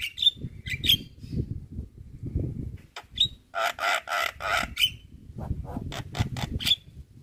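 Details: Tutor song of a Javan myna (jalak kebo) for training birds: sharp whistled squeals between raspy broadband bursts, with steady low background murmur and rumble throughout.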